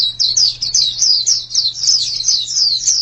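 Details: Brief white-eye phrase of smoothly linked, very high whistled notes sliding downward, run together into a flowing twitter over a quiet steady hum.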